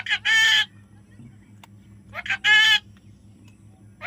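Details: Young parrot giving two loud, grating, rasping squawks roughly two seconds apart, each preceded by a short lead-in note, over a low mechanical hum.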